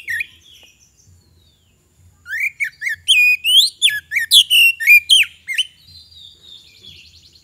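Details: Energetic magpie-robin song used as a lure. After a quiet start, a fast series of loud varied whistles, slurred up and down, repeats about four times a second before fading into soft background chirps.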